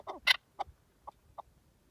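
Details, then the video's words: A wild partridge gives a harsh, rasping burst followed by three short clucking notes spaced about half a second apart, in otherwise quiet surroundings. "Pure Partridge Calls in the Wild"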